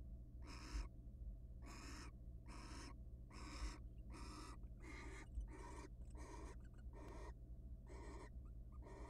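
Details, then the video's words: Wild barn owls at a monitored nest box, mating before egg laying: a run of about ten harsh, hissing, raspy bursts, each under half a second, spaced roughly every 0.7 seconds over a steady low electrical hum. "Boy do barn owls mate a lot before egg laying."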